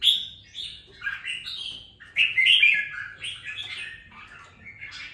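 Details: A two-week-kept caged red-whiskered bulbul beginning to sing with spirit, pouring out a continuous chattering warble of slurred, bright notes that swell midway and fade toward the end.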